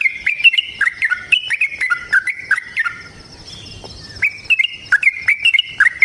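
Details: Yellow-vented bulbul giving a long, chattering 'ropel' song used as a lure to get other bulbuls singing: quick bubbly whistled notes in stepped runs, a brief pause mid-way, then the rapid phrases resume.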